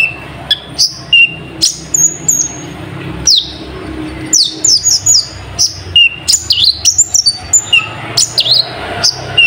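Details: Brown-throated sunbird song carrying imitations of nightjar calls: a lively stream of high slurred whistles, sliding downstrokes and short level pips, denser and faster in the second half.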